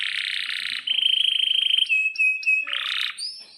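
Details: Canary song from a compilation of long-rolling singers used as a tutor for young canaries: a harsh buzzy burst, a rapid even rattling trill, short whistled notes, then another buzzy phrase.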